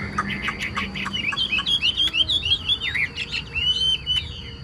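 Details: Chinese hwamei, a caged bird said to sing very well, delivers brisk chips and then a quick string of looping, warbled whistles, each phrase bending up and down.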